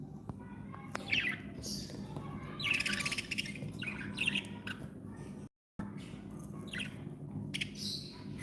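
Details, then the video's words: Pet budgerigars, described as happy, giving short scratchy chirps about every one and a half seconds over a low indoor hum, with a brief gap of silence midway. "Happy budgies sound"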